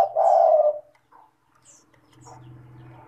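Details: Spotted dove, tekukur, as a lure recording for doves that call too little: one low, drawn-out cooing phrase at the start, then quiet faint notes and a steady low humming noise.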